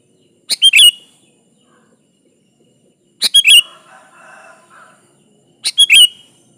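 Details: Lively Sooty-headed bulbul song for calling a rival: three short phrases of two or three sharp chirps with rising slurred endings, one followed by a soft low warble, spaced about two and a half seconds apart.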